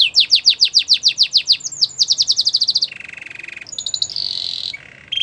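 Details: Belgian canary singing for canary training: fast repeated falling whistles, a lower rolling trill, then brief high steady tours.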